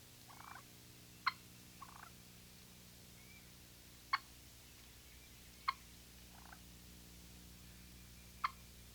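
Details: An Eastern wild turkey hen gives soft, rolling purrs, her contented call. These are broken by four sharp, clicking clucks spaced a few seconds apart, over a steady low hum.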